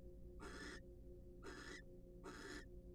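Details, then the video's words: Three evenly spaced rasping hisses, about one per second, come from wild barn owls sharing a preening and courtship session in a research nest box, with a low constant hum underneath. "Barn Owls Share A Special Moment During Their Preening And Court Session."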